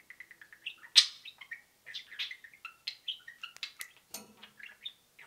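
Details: Two pet budgerigars chattering with peeps and cheeps; a steady stream of soft repeated peeps, warbled twitters and occasional sharp loud cheeps.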